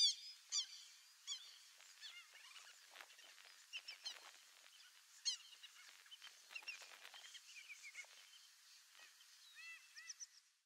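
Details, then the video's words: Wild flock of white-faced whistling ducks (Dendrocygna viduata, irerê) in the Pantanal, Brazil, giving clear, high whistles, often in three-note phrases. The calls overlap irregularly and come roughly twice a second. "WHITE-FACED WHISTLING-DUCK (DENDROCYGNA VIDUATA), IRERÊ."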